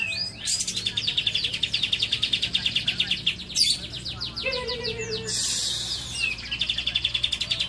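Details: Lovebird singing isian cililin: long, fast, high rattling trills with a brief drop to a lower whistled note, then a harsh burst before the trill resumes.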